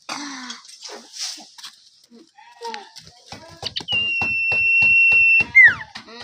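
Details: Common iora kept as a songbird, in relaxed form, gives a long, steady, flat whistle ending in a sharp falling slur, after a run of evenly spaced dry clicks.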